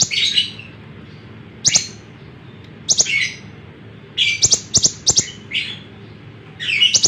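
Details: Singing lemon-bellied white-eye used as a model for training other songbirds: sharp, high chirps and short twittering bursts, some in quick clusters of three or four, spaced by brief silences.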